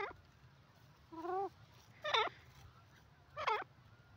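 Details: Teetar, the grey francolin, gives three harsh calls. A lower drawn-out note is followed by two louder rasping, bending notes about 1.3 seconds apart, against faint background noise.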